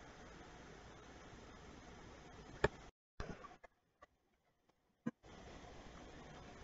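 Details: Quiet room hiss broken by a few sharp clicks and short dropouts into near silence, with no animal calls.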